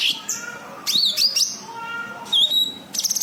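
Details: Cucak kinoi (white-eye) call played to lure other birds: bright high chirps, rising slurred whistles and a fast trilled burst near the end, in short uneven phrases.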